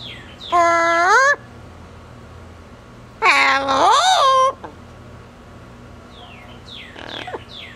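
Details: Pet female double yellow-headed amazon on a cage outing whistles two drawn-out rising tones, the second longer and swooping up and down, followed by softer faint chirps indoors.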